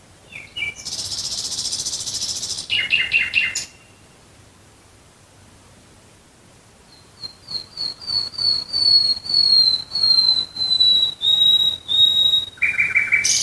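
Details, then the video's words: Nightingale singing at night near Dresden, Germany: a loud harsh buzzing burst and a rapid clicking trill, a two-second pause, then a series of about eleven pure whistled notes swelling steadily louder, ending in a lower chattering phrase. "Nachtigall Gesang Geräusch. Singing Nightingale Sound."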